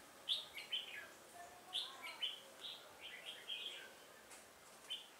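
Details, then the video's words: Decoy red-whiskered bulbul singing to attract wild rivals while being trapped on 1 October 2018; short chirped phrases of sharp rising and falling notes repeat steadily, fairly quiet against a soft background hiss. "Bẫy chào mào Họng ếch ương"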